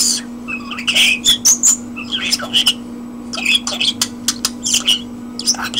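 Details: Common starling singing indoors, a rapid medley of clicks, sharp whistled notes and harsh broadband bursts with short pauses, over a steady low electrical hum.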